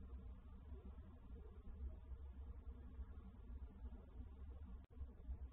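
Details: Quiet low rumbling hum with one brief click near the end and no animal calls.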